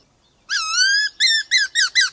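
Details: Black-throated laughingthrush singing a varied, voice-switching song, used to provoke and train other birds: one long, clear, slightly rising whistle, then a run of short, bouncing whistled notes.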